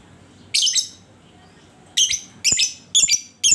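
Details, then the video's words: Lovebird calling as a lure to prompt other lovebirds to sing: five harsh, buzzy, high-pitched bursts in quick succession, each under half a second, spaced irregularly about every half second to second over a quiet background. "Panciangan Burung Lovebird"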